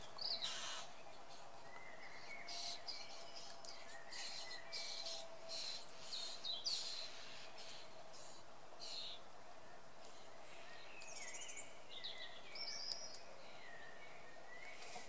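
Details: Common starling at its nest cavity on 25 May 2013, giving a fairly quiet jumble of sharp whistles, clicks and rattling chatter, some notes sliding up or down, over a steady low hum and rumbling background noise.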